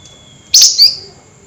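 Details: A flameback calls once at night in the excited nyerecet manner. It is a short, harsh, buzzy burst ending in a thinner squealing note, and a faint steady tone is heard before it.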